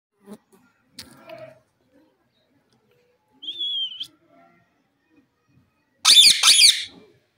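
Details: Indian ringneck parrot kept as a pet, giving sparse short calls: a clear steady whistle held about half a second, then a harsh, loud, grating squawk in quick pulses near the end, with faint clicks and small noises between.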